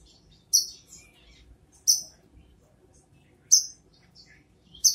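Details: Brown-throated sunbird calling: sharp, high, clipped notes given singly about every one and a half seconds, with faint softer chips between.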